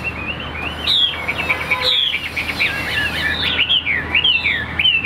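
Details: Newly arrived caged Chinese hwamei sings a continuous, lively flow of high whistles. Rising and falling slurs and zigzag phrases follow one another rapidly.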